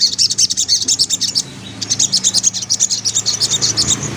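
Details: White-breasted woodswallow singing actively in a busy 'ngriwik' style: long runs of rapid, thin, high chirps, interrupted by a short pause near the middle, over a faint low hum.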